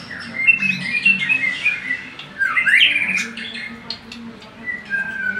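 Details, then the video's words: Singing magpie-robin with a rich mix of fluty whistles, downward slides and harsh chattering notes delivered almost without pause, a faint hum underneath. "burung murai ngacor dahsat"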